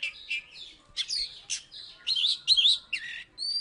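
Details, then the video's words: Oriental magpie-robin from Salatiga, an ex-champion that placed third, delivering loud varied phrases: clipped chattering notes, sweeping whistles, and a final clear rising whistle, each burst about half a second long. "Burung kacer salatiga gacor"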